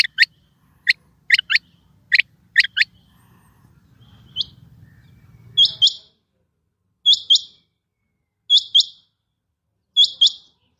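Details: Female rain quail: a run of quick paired clipped notes, then after a short pause a few thinner, higher double notes spaced about one and a half seconds apart, otherwise quiet.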